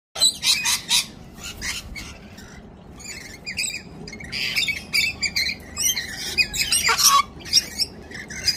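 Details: Galahs (pink cockatoos), quite a few and not at all shy, visiting in a noisy flock screech with harsh grating squawks overlapping in bursts, some rising sharply, over a faint steady background hum.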